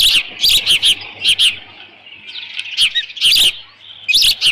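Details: Osprey at a ranch nest, 13 June 2018, around 11:37 in the morning with leftover fish; groups of shrill high chirps, a brief pause, then further bursts of chirping over a low hum.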